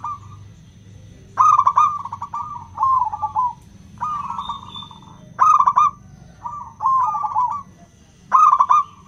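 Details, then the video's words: Local zebra dove lure song for doves slow to sing, 'crystal' voice: quick trilled coo phrases about every one to two seconds, alternating loud and softer birds, a faint whistle-like tone and low hum underneath. "Pancingan PERKUTUT LOKAL suara KRISTAL, untuk memancing perkutut susah bunyi"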